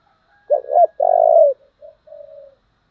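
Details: Spotted dove in the forceful 'giọng thổ' singing style, a model for decoy birds. It gives a loud broken double note and a long resonant coo, then two quieter, drawn-out coos fading away.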